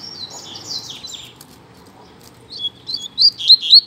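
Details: Double-collared seedeater, locally coleiro, in a singing contest: soft, slurred high whistles at first, then after a lull a loud run of sharp, rising and falling chirps speeding up toward the end.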